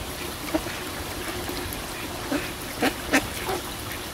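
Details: Ducks in a pond give a few low, throaty quacks bunched near the middle and end, over steady splashing and trickling water.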